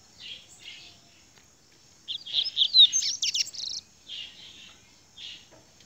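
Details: Grego-style song of a rusty-collared seedeater. Soft, spaced chirps lead into a brief loud burst of sweeping whistles and steep chips, then quieter single notes. The background is faintly hissy.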